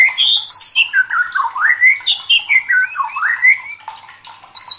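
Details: Excited white-rumped shama (murai batu) delivers a flowing series of whistled, looping phrases that rise and fall, repeated about twice a second, ending with a high thin note.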